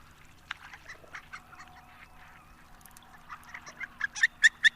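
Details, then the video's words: Harlequin duck giving a series of soft, squeaky high notes that start faint and scattered, then turn into several louder, sharp squeaks near the end. "Canto do pato arlequim"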